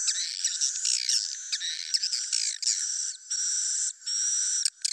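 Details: Swiftlet call played as a roosting lure: dense, high twittering with rapid rising and falling chirps, then steady buzzy stretches broken by short gaps. No other sounds.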